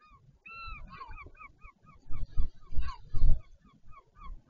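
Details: At the Taiaroa Head colony near Dunedin, New Zealand, a northern royal albatross gives a rapid run of nasal, honking notes, about a dozen in four seconds, amid wind gusts during a parent changeover at the nest, 14 February 2019.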